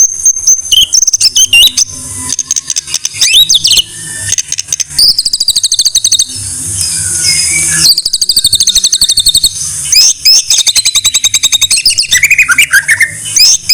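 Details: Loud, varied white-rumped shama masteran song: sharp whistles and upslurred notes, rapid rattling series and long high buzzy trills, ending in a chattering run with falling whistles over a faint low hum.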